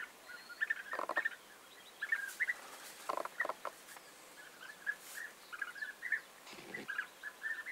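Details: European bee-eaters recorded on 29 May 2021, a flock giving soft, rolling liquid calls repeated at intervals, distant and partly overlapping, against a steady background hiss with some brief rustling noises.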